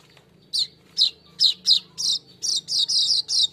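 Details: Golden-headed weaver in full song, recorded as a lure for training cage birds: a series of short, high, buzzy chirps, spaced at first, then running together into longer sizzling phrases.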